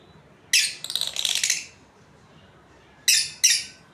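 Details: Australian lovebirds, a breeding pair, calling indoors: a loud burst of rapid rasping chirps that run together for about a second, a pause, then two more sharp shrill screeches close together.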